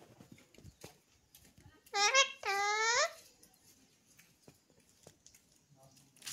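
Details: Alexandrine parakeet, a 'pahadi' parrot, said to talk and say 'mitthu mitthu'. Two loud, drawn-out, harmonic nasal utterances come in quick succession near the middle, with a quiet indoor background of faint clicks before and after.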